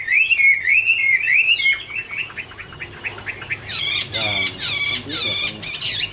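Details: Chinese hwamei singing, recorded 2017: rich fluid whistled phrases wavering up and down, then a run of quick slurred notes, closing with loud varied whistles mixed with buzzy, rattling notes.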